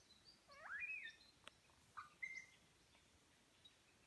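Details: Superb lyrebird in New England National Park, NSW, Australia, mimicking other bird calls while displaying its tail feathers; loud whistled sweeps and upslurred notes, a bright rising-falling phrase, then short separate whistles and clicks over faint background hiss.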